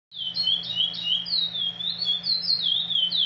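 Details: Chestnut-bellied Seed Finch (curió, praia liso type, from Pará) singing a fast, unbroken run of high, clear whistles that slur up and down, over a faint low hum.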